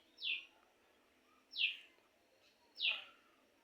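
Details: A pet common myna at a home in Singra, Natore district, Bangladesh, gives three harsh, downward-sliding squawks, about one every 1.3 seconds, over a faint, steady background hiss.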